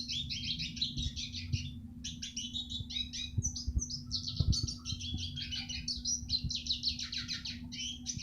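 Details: Training recording of Eurasian siskin song: a long, unbroken stream of quick, high chirps and warbling twitters. Low clicks, thumps and a steady hum sit in the background.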